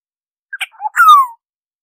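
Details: Singing oriole, recorded for bird surveys: a pair of quick rasping notes, then a brief low warble, then a drawn-out descending flute-like whistle with a slightly harsh edge; nothing else audible.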